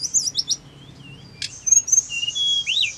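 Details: Hill blue flycatcher singing to provoke a reply from caged birds: quick high chipping notes, a brief harsh burst, then thin sustained high whistles with rising and falling slurs.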